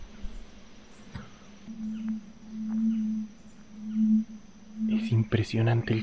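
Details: Red-ruffed fruitcrows at a courtship lek in Misiones jungle, Yabotí Biosphere, Argentina: deep, low booming notes repeated about once a second, with a man's voice speaking over the end.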